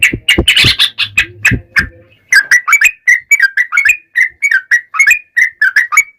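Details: Yellow-vented bulbul singing in full voice, used as a lure to draw other bulbuls into answering: bubbly, liquid notes repeated in quick, choppy phrases after a brief burst of mixed chattering and low rumble at the start.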